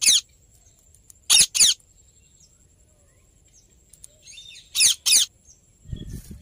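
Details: Indian ringneck parakeet, described as happy, giving two pairs of short, harsh, high screeches a few seconds apart, with faint softer chatter between them and a thin steady high tone throughout.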